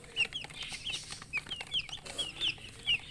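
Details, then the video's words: Baby chicks giving clear, high, downward-sliding peeps, spaced irregularly about every quarter second, with soft rustling between them. "Baby "Chicks Chirping" Sound"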